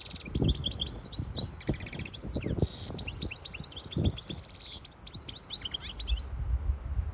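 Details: Singing hybrid European goldfinch tutoring young birds and exciting a hen for breeding; dense high twitters, slurred whistles and buzzes pour out for six seconds, with low knocks and rumble underneath.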